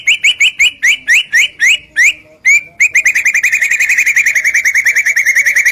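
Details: White-rumped shama singing vigorously to provoke other shamas: a series of crisp upslurred whistled notes about four per second, breaking into a fast, even, chattering trill.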